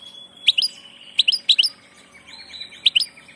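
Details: Goldfinch on passage uttering quick pairs of bright, high chirps, several clipped twitters spaced through a brief stretch over a steady faint hum.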